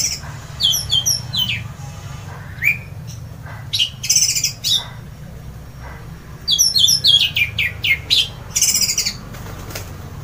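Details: Orange-headed thrush in loud ngeplong song, said to set other birds singing: rapid bursts of high chirps and sharp buzzy notes, two dense flurries separated by scattered single notes, over a low background hum.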